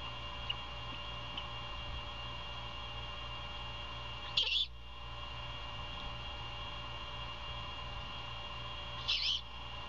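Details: At a Savannah nest built in an abandoned Bald Eagle nest, a great horned owl mother feeds her owlet early on 21 February 2022; two brief raspy screeches come roughly five seconds apart over a low, even background hum.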